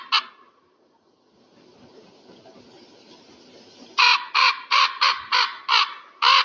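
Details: Single harsh note from an eagle, a quiet gap, then a steady run of eight coarse, clipped notes at about three per second.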